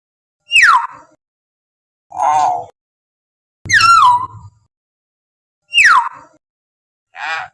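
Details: Wild common hill myna calls, used to prompt captive birds to sing: loud sharply falling whistles alternating with harsh nasal squawks, about one every second and a half.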